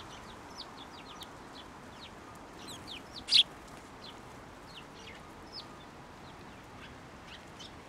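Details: Sparrows flying onto a hand to be fed at a Tenmangu shrine on 7 December 2023; scattered short high chirps, mostly faint, with one louder sharp chirp in the middle over steady background hum.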